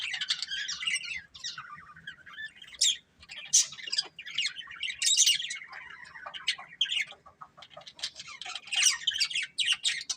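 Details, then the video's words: Pet budgerigars, a breeding pair, chattering almost nonstop: scratchy warbles, clicks and high squeaks run together over ten seconds, with a few brief pauses and sharper bursts of chirps. "Beautiful Budgies Chirping Sounds"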